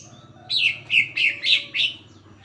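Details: Greater green leafbird singing as a lure for other leafbirds: five bright, slightly buzzy chirps, each about a quarter-second long, evenly spaced in a quick series.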